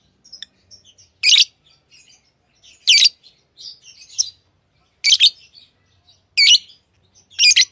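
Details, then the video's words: Tamed lovebirds kept as pets give shrill, screechy chirps about every one to two seconds, separated by quieter chattering notes in a quiet room. "Love birds Sounds | lovebirds chirping sounds| parrot beautiful sounds"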